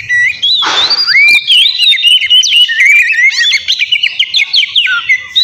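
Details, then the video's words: Kacer, the Oriental magpie-robin, singing loudly in 'gacor' style to goad a rival: a long, unbroken stream of bright whistled glides and quick rising-falling phrases, interrupted early by a brief harsh rasp. "Terapi suara KACER GACOR Ribut buat PANCINGAN KACER Lawan Langsung NYAUT"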